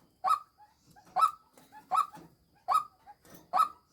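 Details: Female white-breasted waterhen serving as a decoy calls with five loud, rasping croaks spaced about 0.8 seconds apart, each trailed by a softer grunt.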